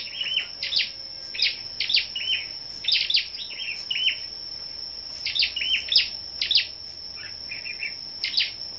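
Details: Several Scarlet-backed flowerpeckers gather and sing against each other in the morning, 10 May. Quick high ticking notes come in tight groups, with short descending chirp runs between them. A constant piercing background whine persists.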